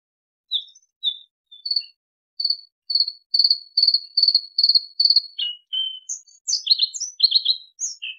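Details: Bluethroat song beginning with spaced high whistles, building into a rapid series of repeated metallic notes, then a varied jumble of sharp chirps and twitters; clean recording with no background noise.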